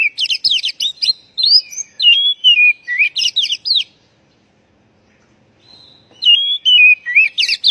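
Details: Oriental magpie-robin call, meant to stimulate a stressed bird that has stopped singing: quick, varied, warbling whistled phrases with sliding notes, a two-second pause, then the rapid phrases resume.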